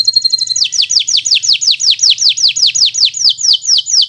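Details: Local canary, bottle-green, singing as a learning master for young birds: short high trill at the start, then a long regular run of loud down-curving whistles at roughly four per second.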